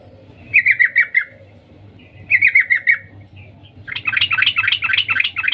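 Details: Female sooty-headed bulbul calling the male, used to lure males: two quick runs of about five sharp 'cuk' notes, each repeated within half a second, then a denser buzzy chatter from four seconds on, over a low steady hum.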